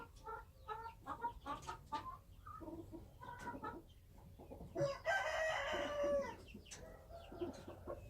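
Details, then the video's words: Wild chickens: a run of short clucking notes, then one long, loud, harmonic crow lasting over a second, followed by more soft clucks against a faint background. "Noob qaib qus Qaib dib qua zoo - wild chickens"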